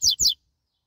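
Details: Double-collared seedeater, a fast, strong singer, giving two loud, quick down-slurred notes in close succession, then silence.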